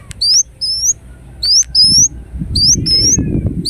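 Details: Ruby-cheeked sunbird singing in Indonesia: sharp rising whistles in pairs, separated by short pauses, over a low rumbling background that grows louder toward the end.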